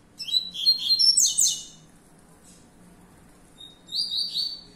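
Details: Captive-bred young male double-collared seedeater, reserved for breeding and fibra competition, sings a hurried sequence of high chipping and buzzy notes, falls silent for two seconds, then adds a brief slurred whistle; soft hum in background.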